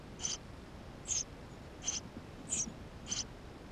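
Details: Eurasian tree sparrow young in the nest cavity, 28 May 2016, GoPro: five short, piercing high peeps spaced about two-thirds of a second apart against faint background hiss.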